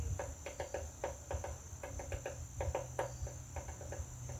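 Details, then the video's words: Woodpecker pecking a butterfly house, producing bursts of hollow, clicking knocks in twos and threes with short pauses, a faint low hum and a constant high whine behind. "Woodpecker pecking butterflies house"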